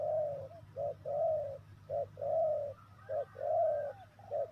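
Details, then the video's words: Spotted dove cooing, recorded to lure wild doves for trapping: soft, throaty coos alternating short and drawn-out notes in a steady rhythm, roughly one per second, over a constant low hum. "The Sound Of Spotted Dove is good,Bẫy cu gáy bằng mồi trồn,เสียงนกเขาใหญ่,Suara Terkukur Pikat Tua"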